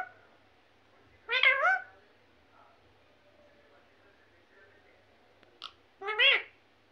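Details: Parrot mimicking speech: two wavering, bending word-like bursts about five seconds apart, plus a brief sharp high note just before the second, with quiet background noise throughout.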